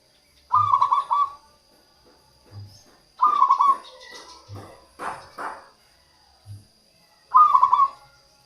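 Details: Local zebra dove song used as a lure for wild doves and to prompt lazy singers: three warbling, bubbly cooing phrases, each under a second, separated by pauses, with soft low thumps and brief rustling between.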